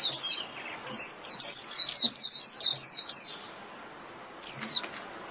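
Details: Japanese white-eye singing to call its flock: a rapid run of high, thin, descending whistled notes for about two and a half seconds, then a pause and one more falling note near the end.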